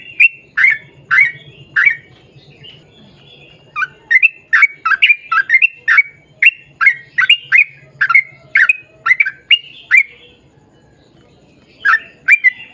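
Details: Sooty-headed bulbul giving a long, rapid song used to draw other bulbuls into singing: a fast run of sharp, bright chirps, roughly two per second, then a pause near the end before a few more notes. A faint low hum sits beneath.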